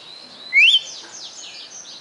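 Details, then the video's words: Caged red-cowled cardinal (galo-de-campina) from Fortaleza, Ceará, Brazil, known for a song of more than 20 notes; one loud, clear whistled note sweeps upward, followed by faint background chirps. "Galo de Campina "o canto perfeito""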